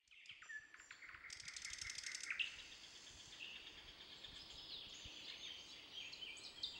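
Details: Birds singing in the Voronezh Nature Reserve: a fast trilled buzzy series, high thin whistles and overlapping warbling from several birds, recorded at a distance.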